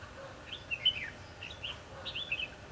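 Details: Red-whiskered bulbul singing fighting song at a decoy trap, 22 December 2015: a few scattered, clear whistled notes, then a quick chattering phrase of several bright notes, against a hissing background.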